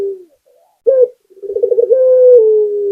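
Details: Vigorously singing local spotted dove gives a brief low coo, a pause, a short rough note, then a quick bubbling series of pulses that lengthens into a sustained, slowly falling coo. The background is silent.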